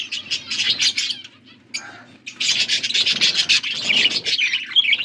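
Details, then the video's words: Blue budgerigars feeding each other, August 13, 2024: bursts of sharp, scratchy chirps, a quieter lull of soft notes, then renewed rapid, buzzy chattering. "Beautiful blue budgies 💙 feeding to each other birds chirping sounds"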